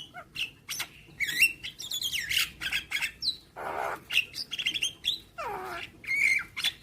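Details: Varied song of a Javan myna from a training recording for young birds, played every morning: loud squawks, grating buzzes and clear whistled accents in a dense, uneven stream.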